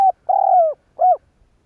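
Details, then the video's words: Tail of a spotted dove decoy's phrase, used to provoke other doves to coo: end of a short note, a long mellow coo drifting downward, then one brief arched coo, silence after. "Tiếng cu gáy kích bổi kích sẽ gáy"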